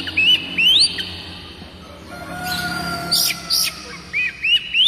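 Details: Oriental magpie-robin (kacer) song used as a lure to set other kacer singing: rising whistled upslurs repeated in short bursts, a quieter middle with faint steady lower tones, then more rising whistles.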